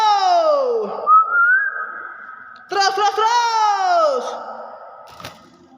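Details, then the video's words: Hill myna imitating human speech: drawn-out, voice-like tones that slide downward, a clear whistled note, then a second falling, speech-like phrase in an indoor space. "Burung Beo unik ngomong"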